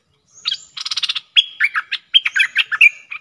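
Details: A bulbul used as a lure call, recorded 31 Dec 2021, gives a quick burst of rattling, buzzy chatter, then a run of bubbly, liquid whistled notes rising and falling over about three seconds.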